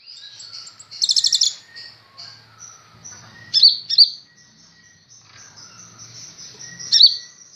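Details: Kolibri ninja sunbird, a kept bird, giving a brief rapid trill burst followed by thin, high drawn-out whistles and a few sharp slurred notes.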